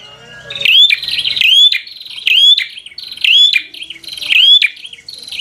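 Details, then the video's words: Bar-winged prinia giving a vigorous 'fighter' song intended to provoke rival birds: rapid bursts of bright, sharp, upslurred whistles and dry clicks, repeated roughly every second, with a faint low hum at the start. "Suara Burung prenjak | Prenjak Gacor Full FIGHTER Bikin Prenjak Jadi Emosi Lawan"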